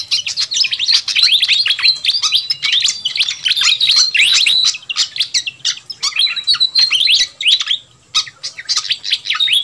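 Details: Lure recording of pied fantail (sikatan kipas) for attracting wild birds: bursts of rapid, tangled chirps and bright whistled slides, broken by short gaps around the middle and near the end, with a soft low hum.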